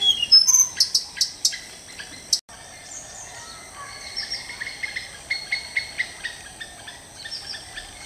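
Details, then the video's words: A Tickell's blue flycatcher in Sri Lanka sings high, sweet whistled phrases of quick slurred notes, some sliding up and some down, after a few sharp ticks at the start. Finding: Blue flycatcher. "blue flycatcher"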